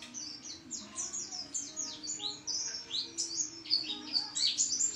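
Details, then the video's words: Lively white-eye song of fast, thin, high notes tumbling over one another in dense twittering phrases, with a faint steady hum in the background. "pleci gacor"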